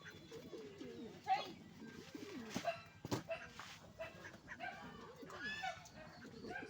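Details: Pet pigeon that has just laid eggs, giving repeated low wavering coos in bursts, with some clicks and handling knocks and faint background sounds.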